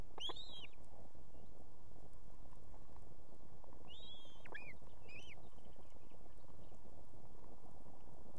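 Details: Osprey female at an Estonian nest with two chicks, calling the male to bring food; one strong arched whistle, then a cluster of shorter curling whistles, with steady background noise.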